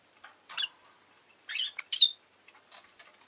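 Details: Rosy-faced lovebird calling in short, harsh, high-pitched chirps, three main bursts in quick succession, the last one the loudest, followed by a few faint ticks.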